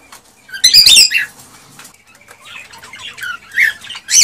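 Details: Male cockatiel singing to stimulate a female to mate and breed: a loud burst of harsh, squawky chatter, then softer scratchy warbled notes and a sharp closing squawk.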